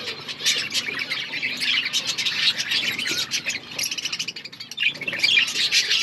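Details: Budgerigars in an outdoor colony, a dense overlapping chatter of chirps and warbles from many birds, with rapid high twittering notes and short squawks running throughout.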